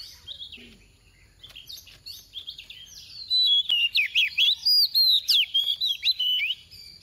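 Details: Oriental magpie-robin hen kept as a gentle-voiced decoy, tìu tíu tiu style: quiet twitters building into a loud, fast sequence of sliding, dipping whistles, roughly four notes per second, with low hum beneath.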